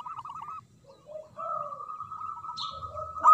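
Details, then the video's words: Local zebra dove, singing strongly from a high perch: a short bubbling burst, low soft coos, then a long, even rolling trill, with a high chirp from another bird and a click at the end. "Perkutut Lokal Gacor Suara Besar Manggung"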